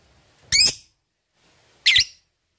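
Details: Lovebird from a pancingan recording aimed at stimulating song: two short, harsh, shrill squawks, a little more than a second apart, with quiet in between.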